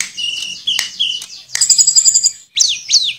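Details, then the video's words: Brief burst from a Sulingan (Tledekan), a mimicking songbird, in flute-like 'nyuling' delivery: steady level whistles, then a dense high trill, then two fast downward-sweeping notes. "Burung Tledekan Gacor Suara Nyuling Muntahin Isian FULL"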